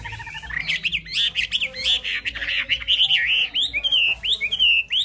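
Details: Chinese hwamei pouring out a rich, rapid song of looping whistled phrases, varied and continuous, each note bending up and down in pitch.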